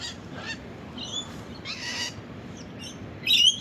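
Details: Rainbow lorikeet (Trichoglossus moluccanus) calling from a treetop in coastal dunes at Sandy Beach, mid-north coast of New South Wales, gives harsh, raspy screeches in short bursts, with thin high chirps and a bright whistled note from other birds nearby.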